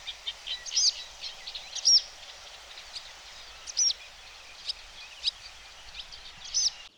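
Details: Barn swallow alarm call, recorded 20 June by the Vistula near Przegalina/Błotnik, close to its mouth; sharp, high, clipped notes about once a second against a steady hiss of water and distant bird chatter; nearby black-headed gulls briefly reacted.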